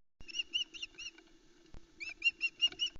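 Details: Female osprey at a Loch Arkaig nest on 4 July 2020, screeching to beg for a whole trout the male has brought while her chicks block the way. Two bursts of rapid, repeated sharp whistled notes separated by a short pause, recorded by nest cam.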